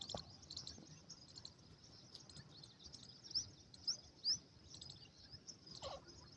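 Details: Grey francolin (shena teetar) chicks on a farm; thin, high, upslurred peeps, three louder ones about half a second apart near the middle, with fainter chirps scattered throughout over low background rumble.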